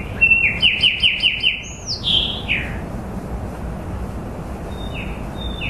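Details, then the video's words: Lively chirping song: a quick series of sharp falling notes, a loud high swoop and lower slurred notes, then two thin high whistles near the end, over background hiss. "Bird chirping bird singing bird sounds"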